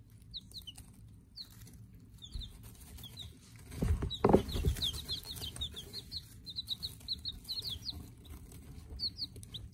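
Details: Brooder of day-old Silver Laced Wyandotte chicks giving rapid high peeps, sparse at first then a dense run of repeated chirps after a loud low thump and rustle near the middle, over a low hum.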